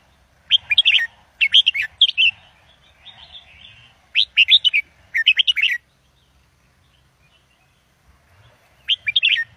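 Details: Caged red-whiskered bulbul singing a professional Indo double style song used to teach young birds and stir up listening birds: four bursts of rich, quick whistled notes, rising and falling, separated by pauses, with soft low rumble beneath.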